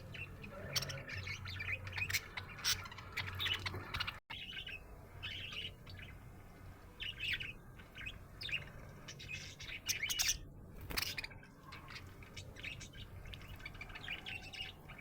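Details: Happy budgerigar chirping in a continuous rambling warble of rapid, scratchy notes and clicks, briefly cut to silence near four seconds, over a low background hum.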